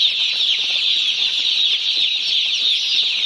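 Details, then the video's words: One-day-old chicks on a poultry farm, many at once, making a dense, unbroken chorus of high, shrill peeping chirps that blend into a steady wall of sound. "Hear the Chirps of 1-Day-Old Chickens From Our Poultry Farm!"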